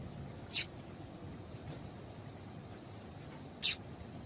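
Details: Female double-collared seedeater call used to prompt a male to sing, heard as two brief, bright, high-pitched chips spaced about three seconds apart over a quiet, hissing background.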